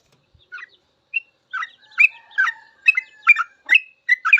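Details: Sooty-headed bulbul song meant as master recording for caged trucuk, starting sparse and thickening into overlapping bubbly chirps and whistled slurs.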